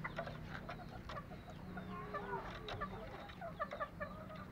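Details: A green junglefowl (Gallus varius) from Lombok gives quick, overlapping clucks and short clipped notes, several every second, over a steady low hum.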